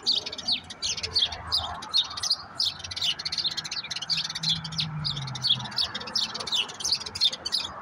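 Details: Common grackles, two brothers, eating walnuts in a backyard give a steady stream of short, sharp, high chirps in quick clusters, with a faint low rumble underneath; finches and other small birds also present.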